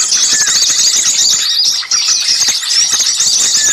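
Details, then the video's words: Noisy chorus of small birds used as a lure to attract wild birds: dense, continuous high-pitched chattering and squeaky twittering from many overlapping callers, with occasional short whistled notes sliding down, steady and loud throughout. "suara pikat burung kecil ribut"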